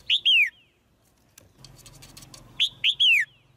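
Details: Caged female white-eye chirping to urge the male to sing louder: two groups of sharp, high, downslurred chirps about two and a half seconds apart, a low rumbling murmur between them.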